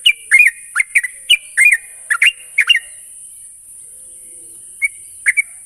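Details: Sooty-headed bulbul lure recording meant to make young birds sing soon: a quick burst of liquid, rising-and-falling chirped notes, then quiet with two last sparse chirps, with constant high-pitched hiss behind.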